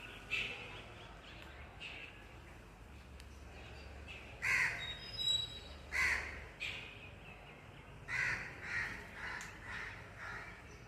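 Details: Big rose-ringed (ringneck) parakeet in Ludhiana giving harsh, grating screeches, repeated roughly once a second in short runs over a low background hum.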